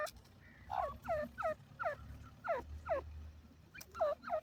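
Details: Desi grey francolin giving a regular series of nasal, downward-curving notes, roughly one per half second, over a soft low rumble.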